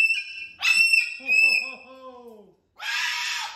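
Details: Pet cockatoo performing on top of its big cage indoors: clear whistled tones, then a descending harmonic wail, a short pause, and a loud harsh rasping screech; a man talks nearby.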